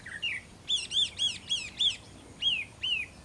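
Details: Taiwan hwamei at Caonanpo, recorded 10 April 2016, giving a series of rich arched whistled notes, each about a quarter second, repeated rhythmically with brief gaps, over quiet outdoor background.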